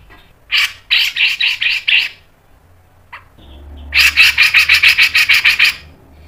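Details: Grey-cheeked bulbul, locally cucak jenggot, giving 'ngepik' style song: two series of evenly spaced, harsh, clipped notes, about six to ten per series, with faint low background hum.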